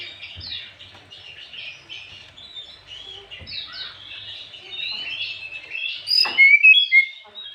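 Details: Continuous rapid warbling of an Oriental magpie-robin in the afternoon, used to provoke rival birds; varied high chattering notes build to a loud burst of clear whistles near the end.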